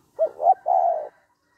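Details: Spotted dove giving the 'hạp bổi' style call to prompt males to call quickly; a compact phrase of two short rising hoots then a sustained, gently falling coo lasting half a second, clean and isolated.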